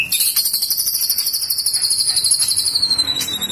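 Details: White-rumped shama (Copsychus malabaricus), shrill call.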